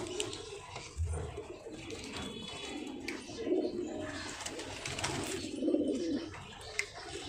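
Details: Pigeons held for sale produce deep, bubbling coos in bursts, louder around the middle and end, with a thump and light background noise indoors.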